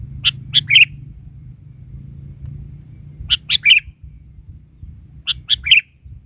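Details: Sooty-headed bulbul calling in lively gacor style, original voice: three-note chirpy phrases repeated roughly every two and a half seconds, with a faint low droning background.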